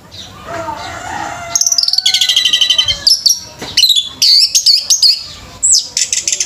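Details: Orange-headed thrush singing at a bird singing competition: after a quiet, murmuring start, a rapid run of high, sharp chirps and trilled notes, then bright whistled phrases broken by short pauses.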